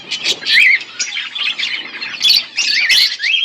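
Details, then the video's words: Budgerigars of a pair chirping, short bursts of chatter with distinct wavy, rising-and-falling whistled notes separated by brief softer gaps. "My beautiful budgies parrot pair 💙💛Budgies chirping sounds"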